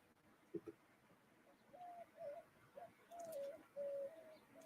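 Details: On a hot April 20th, 2022 (in the 90s), a dove outside an open window gives soft, mellow coos, several drawn-out hooting notes in a slow series, preceded by a couple of faint clicks.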